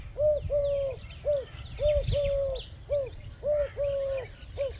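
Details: Gentle cooing of a dove in a rural Pakistani village, feeding on grains in grass: regular clipped and sustained hollow notes in a repeating phrase, with scattered twittering of small birds behind.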